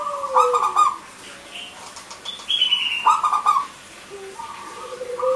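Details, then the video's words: Local zebra dove singing short rattled bursts of notes, used as a lure for silent males and females, among busy higher whistles and low gliding tones from other birds. "Perkutut Lokal Gacor,Suara Kristal Untuk Pancingan Yang Macet Bunyi Jantan Dan Betina."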